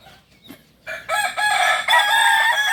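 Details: Kukuak balenggek chicken, native to Solok, West Sumatra, opening a crow: brief quiet notes, then a loud harsh rising burst swelling into a sustained ringing tone with stepped pulses.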